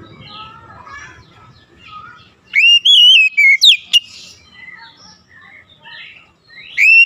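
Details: Oriental magpie-robin song played as a lure for magpie-robins that will not sing: faint soft chirps from other birds, then a loud whistled phrase that rises, wavers and falls, a sharp upswept note, and another whistle at the end.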